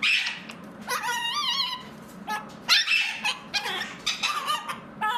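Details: Pet mitred conure indoors chattering in bursts of harsh, nasal, warbling notes that wobble up and down in pitch, with brief pauses between phrases.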